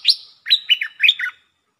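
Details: A single lively phrase from a ดอกแตง red-whiskered bulbul singing ลักเบิ้ล style: a high opening whistle followed by a tumbling run of chirpy, slurred notes that drop in pitch, then silence.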